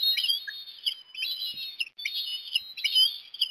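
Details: Osprey calling at breakfast time in Port Lincoln, Australia, 17 December 2021, while a chick is fed fish; high, piping whistled notes run in three dense bursts.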